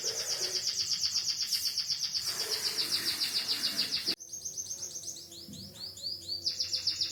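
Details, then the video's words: A white-headed munia singing keenly in canary style gives a sustained, rapid, high-pitched pulsing trill, then after an abrupt break a series of quick, sweeping chirps and short trilled phrases. "burung emprit kaji isian kenari"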